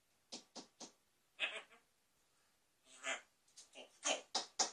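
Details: A Grey parrot interacting with a mirror gives a quick run of short, scratchy squawks and clicks, then a few sharp, high whistled notes near the end, with quiet gaps between.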